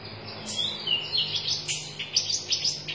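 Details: Red-chested sunbird, locally konin dada merah, singing busily: high, thin chirps and short twittering phrases come in quick bursts, with faint low hum behind.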